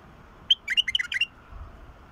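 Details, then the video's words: Wild bulbul singing: one short, rapid phrase of bright, bubbling whistled notes that rise and fall, lasting under a second, over a quiet background. "تغريد بلبل وحشي"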